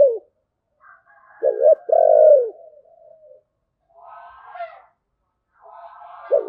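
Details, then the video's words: Spotted dove calling in the "giọng thổ" style with a "Bầu" voice: a mellow low phrase of a stuttered double note and a long coo, with some faint background rustling and scraping between phrases. "cu gáy giọng thổ, Bầu nghe rất hay"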